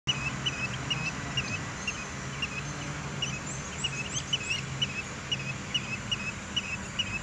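Chestnut-headed bee-eater giving short, bright chirping notes repeated about twice a second, with a few higher chips and a low rumble of distant traffic beneath.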